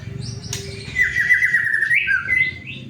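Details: White-rumped shama song, used as a lure to prompt other shamas to sing quickly: a loud, sustained warbling whistle that wavers, drops and then rises into bright, clear phrases. A low background hum runs underneath, and a man speaks just afterward.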